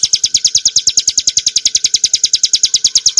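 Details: Prinia familiaris montana in clear ngebren song for cage-bird training: a fast, regular sequence of loud, high, chirping notes, about eight each second, continuous and unaccompanied.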